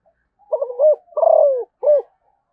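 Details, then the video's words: Spotted dove, Malaysian type, delivering one clear cooing phrase: a broken first coo, a long purring trill sliding down, and a short rounded last note, with no other sounds. "chim cu gáy malaysia/ cu gáy malaysia"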